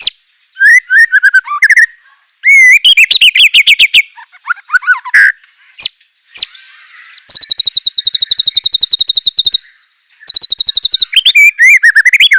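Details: Murai batu (white-rumped shama) delivering a bold, varied 'isian mewah' song: sweeping whistled phrases, rattling bursts and long trills of rapid high chips, broken by short silences.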